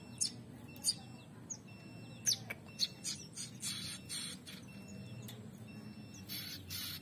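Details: A pair of young prinias growing active: scattered high, piercing chirps early on, followed by rougher, noisier bursts and a low background rumble.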